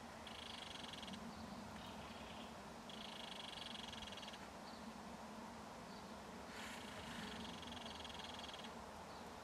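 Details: Belted kingfisher at its nest in a mud bank while an adult feeds fish to its baby: three long buzzy, rapidly pulsed chattering bursts, each about one to two seconds, over a steady low background hum.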